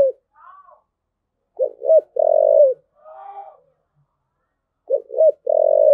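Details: Repeated cooing of a spotted dove: phrases of two short low notes then a long sustained coo, given twice, with softer higher wavering sounds between phrases.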